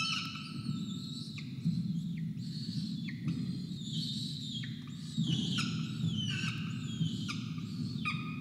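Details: Hungry peregrine falcons at a Charles Sturt University nest camera on 5 November 2021, a chick fed breakfast after 24 hours, an injured adult also very hungry; loud, harmonic, wailing calls repeated in drawn-out bursts over a steady low hum.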